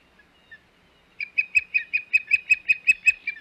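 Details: Osprey calling at the Hog Island nest on 21 May 2021; after two faint notes, a steady series of about twelve loud, piercing whistled chirps, evenly spaced near three per second.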